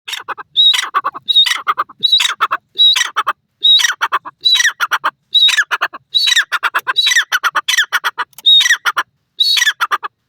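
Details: Grey francolin, or teetar, giving its love call: loud harsh squawking phrases, each a burst of rapid grating notes with a high clear note, repeated about every second in a steady series.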